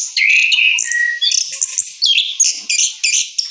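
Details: Moulted orange-headed thrush giving a sustained whistled note followed by quick high warbling phrases in short rapid bursts.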